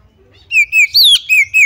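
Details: Female white-rumped shama giving a call meant to draw other shamas into song: five loud clear whistled notes in quick run, a sliding fall in the middle, the rest short level whistles.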